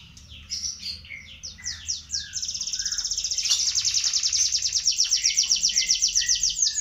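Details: Young panda canary learning to sing: a loud high-pitched song that opens with scattered chirps and short sweeping notes, then settles into a fast, rhythmic, slightly buzzy trill that grows louder and continues to the end.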